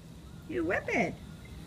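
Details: Pet parrot, a male, chatting away in a trance-like state while having a shower; a short burst of speech-like mimicry with clear gliding tones that rise and fall over about half a second.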